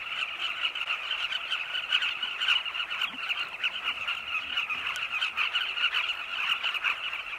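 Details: Carmine bee-eaters on the wing around their cliff nests in Zambia at sunset, foraging insects for chicks hidden in long tunnels. Crowded, rasping calls overlap continuously, with loud pulses standing out every second or so.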